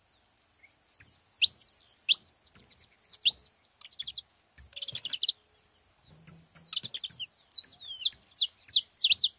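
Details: Several saffron finches at a feeding spot give high, thin twittering notes that build into a dense run of bright down-slurred chirps toward the end, voices overlapping throughout.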